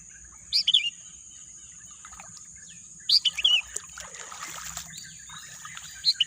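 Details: Wild birdsong amid green natural scenery: a few sharp, high chirps come in short bursts near the start, middle and end, with a falling trill in the middle. A steady high hiss runs underneath throughout.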